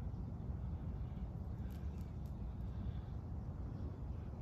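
Steady low rumble of outdoor background noise with a few faint clicks, and no animal voice heard.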